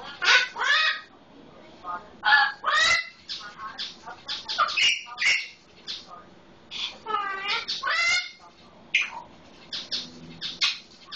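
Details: Captive pet Eclectus parrot talking and mimicking a red-lored amazon: loud, harsh, squawking calls with rising and falling harmonic notes, delivered in irregular bursts with short pauses over eleven seconds.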